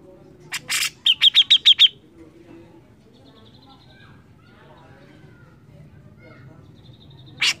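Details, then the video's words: Grey-cheeked bulbul singing energetically: two harsh broadband bursts, then a fast run of six sharp, bright chirps of even pitch, followed by quiet with faint low background noise and one final harsh note. "cucak jenggot gacor mbeset ngotot"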